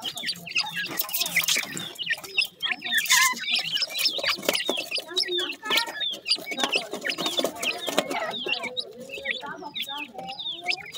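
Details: Newly hatched grey francolin chicks calling their mother: a crowd of high, thin, downslurred peeps overlapping constantly, with lower clucking notes and sharp clicks and knocks throughout.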